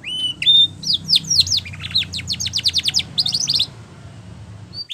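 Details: Spanish Timbrado canary singing a training song: bright whistled notes, then a fast run of descending strokes and short trills, over a low rumbling background hum.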